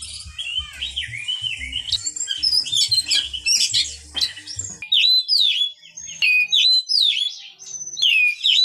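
An Oriental magpie-robin sings loud, varied whistled phrases that swoop up and down. The phrases come in quick bursts, over a faint low rumble at the start.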